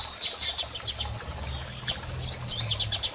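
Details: Female double-collared seedeater calling to encourage a male to resume song after moult; scattered high chirps and short buzzy notes over a low steady hum.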